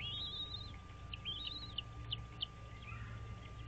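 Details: American bald eagles at their nest on Dale Hollow Lake, a reservoir on the Kentucky-Tennessee state line, caught by a nest camera at 06:05 on 06.03.2023: high thin whistled notes, arching up and down, then short sharp chips, over a steady electrical hum.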